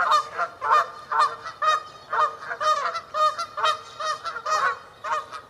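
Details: Canada geese honk rapidly while defending territories or in flight: loud, clipped, harmonic honks about twice per second, sometimes paired, in a quick uneven series.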